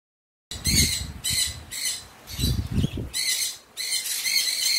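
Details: Free-roaming pet cockatiel, excited by a sudden rain shower and playing in it as though showering; it gives a run of harsh, harmonic calls of about half a second each, roughly six in five seconds, with low thumping sounds between them.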